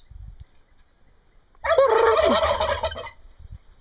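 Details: A single loud turkey gobble of about a second and a half, a fast quavering rattle with a descending note inside, preceded and followed by faint low thumps.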